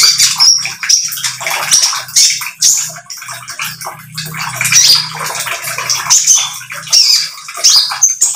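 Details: Chattering song of a speckled oriental magpie-robin, played to coax others to sing along: harsh, scratchy high notes tumbling in quick bursts, with a low steady humming drone underneath for much of the recording.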